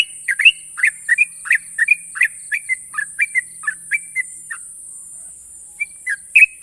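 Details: Sooty-headed bulbul, a national champion, singing long sharp trills as a rapid series of bright whistled chirps for four and a half seconds, a pause, then a few more notes; steady hiss behind.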